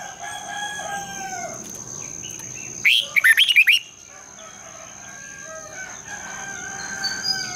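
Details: Single morning phrase from a red-whiskered bulbul, sung in the long double-twisted style: about six sweet, tumbling whistles in under a second. Faint chirps of other birds and a constant high hum are also heard.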